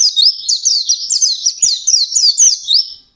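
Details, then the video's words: White-eye singing hard in the ngalas style: a nonstop three-second flurry of high, thin, quickly rising chirps and twitters. "SUARA BURUNG PLECI GACOR NGALAS"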